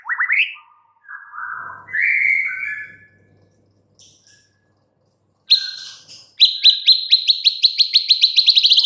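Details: Caged white-rumped shama song: varied loud whistled phrases with rising slurs and buzzy notes, then a fast run of sharp repeated chips, about a dozen in quick succession, after pauses of silence.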